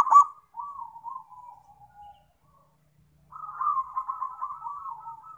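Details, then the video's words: Zebra dove singing actively: a sharp opening note slides into a soft descending coo, then silence, then a sustained run of rolling, gently bubbling coos to the end. "PERKUTUT GACOR"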